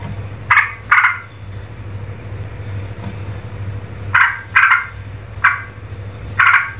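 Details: An agitated Streak-eared bulbul gives six harsh, chattering bursts in irregular pairs, each a rasping scolding note, over a steady low engine-like hum.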